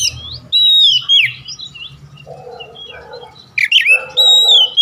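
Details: Kacer (Oriental magpie-robin) song for luring other birds to sing: whistled descending phrases and soft twitters, a faint low rustling murmur in the gap, then a sharp chip and a long even whistle.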